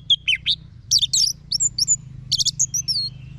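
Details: Orange-headed thrush song for tutoring captive birds. Dense high chirps, buzzy bursts and thin descending whistles come in rapid clusters over a steady low background hum.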